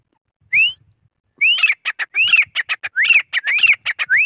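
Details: Grey francolin, the desi gora kohati teetar: a series of clear rising whistled notes repeated roughly every half second, interleaved with short scratchy clicking notes, forming a loud rhythmic chorus-like phrase.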